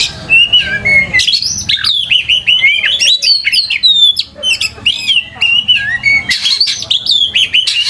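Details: White-rumped shama song used as a lure to prompt other kept shamas to answer and sing, a rich stream of clear whistles, sweeping slurred notes and quick high trills in varied phrases, recorded cleanly with little background noise.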